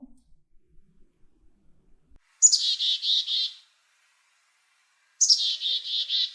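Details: Black-capped Chickadee giving two chick-a-dee-dee-dee alarm calls, often given when frightened by humans: a high thin opening note then a run of buzzy, husky dee notes, each call about a second long.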